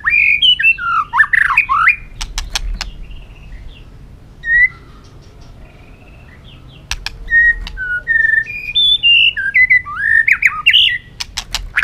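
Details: White-rumped shama kept caged, roused to competitive singing: loud tangled whistles, isolated clicks, a quiet spell, then a series of clear varied whistled phrases building in pace.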